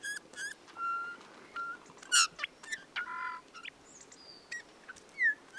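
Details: A Eurasian bullfinch's creaky song, given mostly in the breeding season: soft flat whistles, one loud harsh burst, a cluster of low piping notes and scattered thin chirps and slurs.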